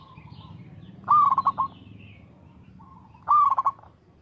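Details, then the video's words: A local zebra dove, a frequent singer, gives two rhythmic cooing phrases. Each one opens with a sharp rising note and breaks into a quick stuttering series of clipped coos. The phrases are about two seconds apart over quiet low background noise. "TERATUR PERKUTUT LOKAL GACOR SUARA TERATUR PANCINGAN TERBAIK"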